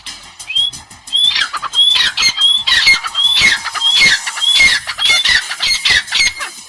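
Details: Francolin giving varied calls that help the flock communicate and keep its hierarchy: short, clear rising whistles mixed with harsh raspy bursts, repeated roughly twice a second in a steady, insistent series.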